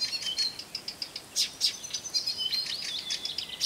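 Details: Blyth's reed warbler, a bird of gardens and forest edges whose males weave calls and phrases of other birds into their song, delivering a rapid, varied run of high, sharp chirps, short whistles and trilled notes with brief buzzy bursts.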